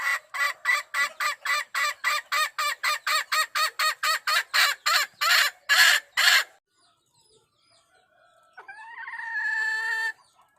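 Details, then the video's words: Wild hen calling the rooster in 2021: a fast run of about twenty harsh clucks, about two per second, then silence and a drawn-out harmonic squawk near the end. "suab poj qaib qus seev tau zoo heev 2021.tiếng gà mái gọi trống"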